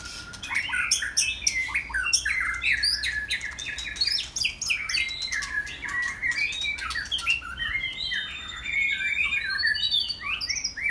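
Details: White-rumped shama in a long afternoon song bout on a Saturday, pouring out rapid varied phrases: loud clicks and ticks, chattering notes and fluty whistled slurs, repeated without break for about eleven seconds.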